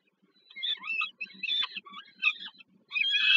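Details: Peregrine falcons at a nest in Warszawa, Żerań, Poland, on 15 August 2022, an adult delivering food to a young bird: broken, squeaky chittering calls, rising to a loud harsh wail at the end.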